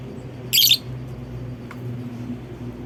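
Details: Lovebird lure call to prompt others to sing along: a single harsh, high chirp burst of about a quarter second, followed by a faint tick, over a low hum.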